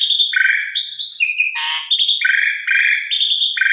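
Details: Asian pied starling, a caged bird, singing a tutor song for beginner birds: loud varied phrases of buzzy, harmonic notes alternating between lower rough bursts and higher whistled slurs, delivered in quick succession without pause.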